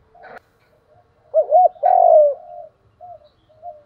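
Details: Spotted dove call used for training decoys: two quick rounded coos run into a long, loud descending coo, followed by faint trailing notes.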